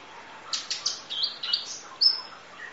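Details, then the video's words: Brief sunbird song phrase for training: a few sharp high chirps followed by short flat whistled notes, ending in a bright high whistle. "Masteran Kolibri Ninja Full Isian Nembak Durasi Panjang Kicau Burung"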